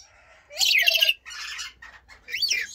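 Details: Blue-streaked lory calling with a shrill, rasping screech followed by scratchy chatter and a sharp rising-falling squeal, low hum beneath.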